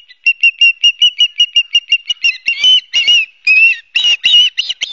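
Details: Ospreys calling from their nest at Barnegat Light, New Jersey, 12 September 2022, heard on a live nest camera. A quick, regular string of sharp whistled chirps gives way to louder, harsher, slurred squeals.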